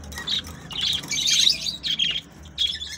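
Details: Budgies warbling to prompt mating, a busy scratchy chatter of chirps and squeaks in quick overlapping bursts, loudest in the middle and ending with a short sharp chirp series.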